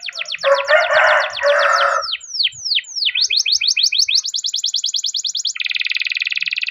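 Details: A canary sings a long roll to encourage other canaries: buzzy chatter, slow falling whistles, then rapid even trills ending in a steady high rattle.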